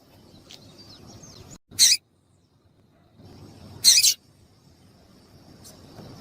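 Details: Female double-collared seedeater calls that excite males. Two loud, harsh, high bursts about two seconds apart, with faint thin twittering notes at the start and a weak chip near the end, over hiss and a steady faint high tone.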